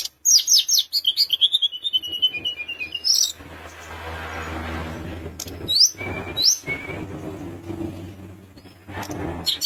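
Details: Sunda minivet singing energetically to provoke rivals: a fast run of high, sharp notes stepping downward, then sparse thin whistles and rising slurs over steady low background noise.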